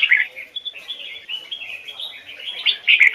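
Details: Brief Hoài Sơn forest-style double-note song of a red-whiskered bulbul used for training: a loud chirped note, a run of softer whistled twitters, then a bright, strong closing phrase.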